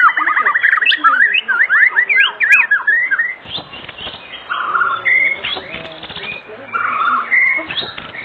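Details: Oriental magpie-robin song used as an afternoon lure to prompt other magpie-robins to sing: rapid varied whistled phrases and rising-falling slurs, dense and energetic, with a rougher noisy stretch midway.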